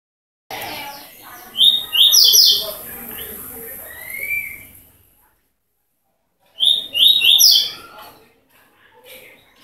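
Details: A seedeater (coleiro), one year and six months old, sings two bursts of quick, high, sharp trilled notes with a few squeaky slurred whistles, separated by a pause of a few seconds.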